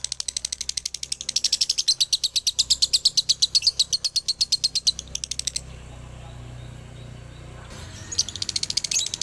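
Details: Male Galendo lovebird from Ciamis in dobelan song: fast high-pitched chirping rattles along, stops for about two seconds where only faint low room hum remains, then resumes with sharp squeaky ticks.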